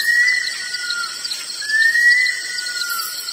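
Bush stone-curlew giving two long, eerie whistled wails, each sliding gently downward over about a second and a half, over a steady high insect drone.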